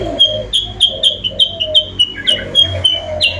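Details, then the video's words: Sooty-headed bulbul lure call, used to draw rivals closer: loud, clear whistled notes repeated roughly three times a second at a steady high pitch, a few rising at the end, over a low background hum. "suara pikat burung kutilang sutra bikin lawan auto mendekat"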